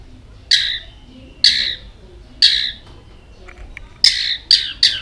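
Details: White-rumped shama singing while flicking its tail continuously; short, sharp, high notes repeated roughly once a second, with a quick cluster of three toward the end, over quiet background hiss.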